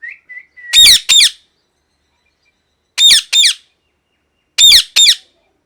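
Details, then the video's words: Parrot giving loud screaming calls: harsh raspy squawks in pairs, each pair a couple of seconds apart, with short soft whistles at the start. "Loud Parrot Noise #1 | Natural Parrot Sounds | Parrot Calling Sounds"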